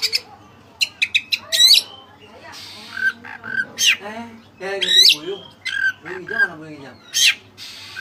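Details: White-breasted kacer (Oriental magpie-robin) in vigorous song with cililin fill-ins for training other birds: a harsh, squawky medley of sharp high strokes, scratchy rattles and short whistles, uneven in rhythm.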